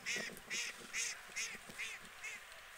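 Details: White geese in the UK honking in a rapid run of six loud, coarse, nasal notes, about two or three each second, with no gaps of silence between them.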